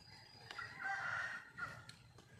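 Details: Red junglefowl calling for a mate with a single drawn-out, slightly hoarse crow of about one second over a quiet background with faint clicks.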